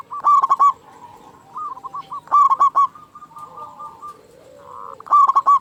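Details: Local zebra dove with a loud, big voice, used as a lure to make caged doves call: bursts of rapid staccato coo notes near one pitch recur about every 2.4 seconds, with softer trilled cooing between.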